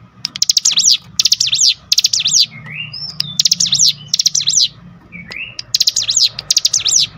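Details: Cinereous tit singing loudly in answer to a lure recording. Fast phrases of high, buzzy, zigzag notes repeat in runs of three or four, separated by short, upslurred whistles, with a low hum beneath.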